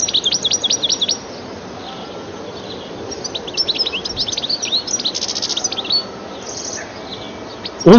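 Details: Goldfinch calls near gardens: short clusters of high, tinkling twitters in the first second, then scattered bright chirps midway, with quiet gaps and a low thump at the end.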